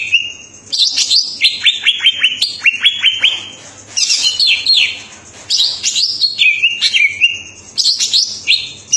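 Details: Cucak ijo, the greater green leafbird, in full song: a cascade of rapid falling whistles early on, followed by scratchy, chattering high phrases and sliding notes, delivered almost without break.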